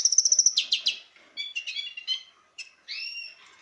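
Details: Courting male lesser goldfinch of subspecies jouyi, in breeding condition, gives a rapid series of high piercing notes, then harsh chips, buzzy twitters and a final slurred whistle.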